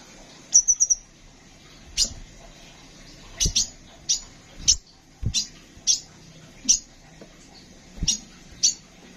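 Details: Caged Van Hasselt's sunbird, tutor recording for songbirds, opens with a rapid trill of three thin high notes, then scattered sharp piercing chirps every second or so, accompanied by low knocks and faint hum.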